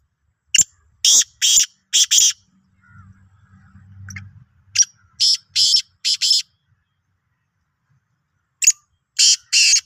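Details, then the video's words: Sindhi black francolin, 16 March 2023, repeating rough grating phrases of four to five loud bursts, with a low rumbling hum between the first two phrases and a shorter phrase at the end. "Kala Teetar ki Awaz"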